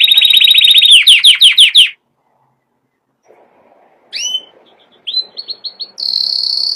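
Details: Canary song: a piercing, sustained high trill breaks into rapid descending sweeps, then a pause, followed by sharp chirps, a quick run of repeated notes and a final shrill whistle.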